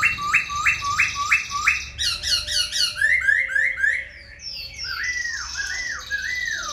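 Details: Silver-eared laughingthrush, a caged tame bird performing a wing-and-tail display as it sings: a run of evenly repeated whistled notes about five per second, then rising slurred whistles and sweeping downward phrases.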